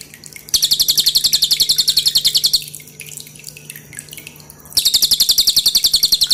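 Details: Pin-striped tit-babbler song for cage-bird training, loud and tightly packed, with clear dripping water behind: a fast two-second volley of piercing high notes, a quieter gap of about two seconds, then another volley begins.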